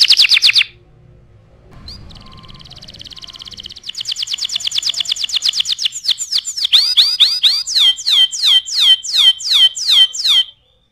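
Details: Canary in full song for tutoring other birds: a brief trill, a pause, then an accelerating pulsed trill that grows louder and turns into a series of sharp, repeated downward-sweeping whistles.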